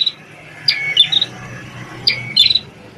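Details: Two phrases from a prenjak tamu prinia with a red head, a former tutor for shamas: a sharp note sliding into a level whistle, then a dry buzzy rattle, against a steady low hum.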